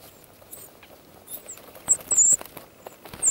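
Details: Sabota lark nest in Polokwane Nature Reserve, South Africa, 16 January 2012 at 15:07, as a female boomslang takes a 10-day-old nestling: a few thin, very high squeaky notes, the longest a drawn-out squeal, over soft rustling and clicking.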